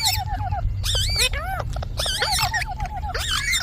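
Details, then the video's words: Ringneck parrot voice made of squealing, wavering harmonic notes and quick squeaks in a continuous run, heard against low background rumble. "Parrot Talking |Ringneck parrot sound"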